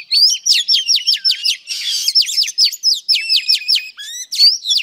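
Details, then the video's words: Female oriental magpie-robin song aimed at stimulating males: rapid repeated sharp descending notes in quick series, broken by a brief buzzy burst, ending with a few whistled slurs. "Than mái hót kích trống P3 Oriental Magpie Robin Female"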